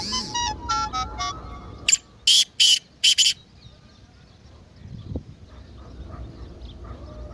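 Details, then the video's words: Partridge call used to excite a silent bird: opens with a few clear, ringing whistled notes in rapid sequence, then four harsh, strident bursts in quick succession before fading to soft background noise. "تیتر کی مستی والی آواز:اب خاموش تیتر بھی بولے گا"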